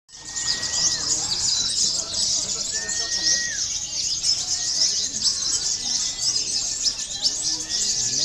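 A sunbird sings a dense, very high, rapid twittering and trilling without pause, with a few thin, level whistles slurring downward now and then.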